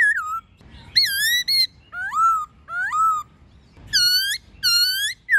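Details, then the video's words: Laughingthrush singing wild-type song with a female present, meant to train caged birds: bold whistled phrases, some falling, some rising, given in bursts with short silences between them. "Khướu Hót giọng rừng NHIỀU GIỌNG + MÁI RÒ khướu bổi"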